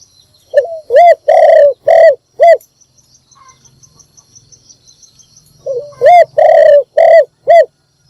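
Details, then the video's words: Spotted dove calling in the morning to bring in other birds: two full phrases of a brief rising note and four deep, harmonic coos, separated by a gap with a faint high whistle and low hum behind. "นกพิราบดัง birds - เสียงนกร้องตอนเช้าเพื่อเรียกนกของคุณ"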